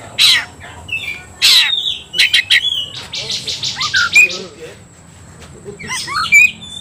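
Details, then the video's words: Aggravated Oriental magpie-robin singing aggressively in a fight display: harsh scratchy bursts, a run of fast pulsed buzzy notes, then bright whistled slurs and chattering at the end. "membakar emosi kacer, kacer gacor tarung ngobra"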